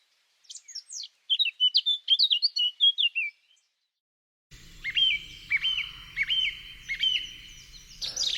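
A Eurasian Blackcap sings a quick, scratchy warble, then a brighter passage of clear, whistled notes repeated in separate phrases over a low background hum.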